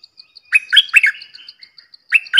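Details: Red-whiskered bulbul song: a lively run of loud, slurred, warbling notes followed by a softer trailing whistle and a fresh two-note start, with light high-pitched ticks between.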